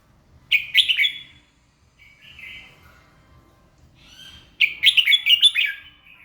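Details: Red-whiskered bulbul in morning song, giving two rich bursts of rapid, rolling warbled notes separated by a quieter drawn-out whistle, in a calm setting.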